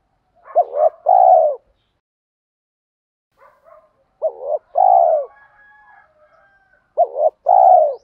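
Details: Spotted dove coos meant to set training birds cooing. Three two-part phrases roughly every three seconds: stuttering low opening notes, then a long, mellow, falling coo. Faint higher calls sound between phrases.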